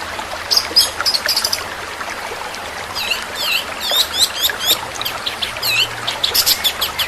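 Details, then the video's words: Long-tailed shrike singing in the rapid 'tembakan' style with long rolls: fast bursts of high, sharp chirps and rising-falling whistled notes in dense clusters, brief pauses between bursts, faint low hum beneath. "Tembakan burung cendet super speed dan roll panjang"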